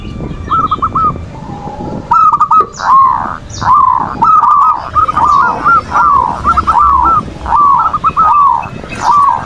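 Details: Zebra dove (perkutut) song as a lure to make reluctant doves call and come into breeding condition; repeated rolling coo phrases about every second, warbled and bubbling, with faint high bird chirps behind.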